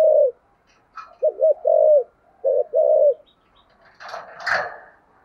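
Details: Spotted dove cooing in the deep 'thổ sấm' voice style, a 'thúc gù' cooing bout: low, hollow coos, a single note then a quick doubled pair and long drawn notes, followed by a brief rough rustling burst.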